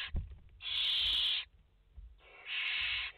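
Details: Live nest camera of barn owls with five chicks in the nest, 29 August 2021; two long, rasping hiss calls follow a soft thump, with a short pause between them and faint low rumbling underneath.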